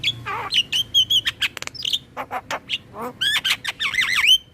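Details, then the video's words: Black-winged myna song for prompting caged birds to sing: fluty whistles, quick chattering bursts and wavering, trilled whistled phrases, loud and varied throughout. "Pancingan dan MAsteran Burung Jalak Kebo dan jalak lainnya Langsung Rajin Ngoceh"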